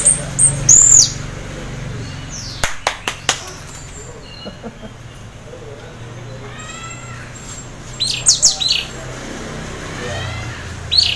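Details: Orange-headed thrush (anis merah) half in breeding condition, singing in the teler style used to prompt other orange-headed thrushes to sing; sparse high whistled notes with long pauses, sharp clicks near the start and a brief chirpy burst late on.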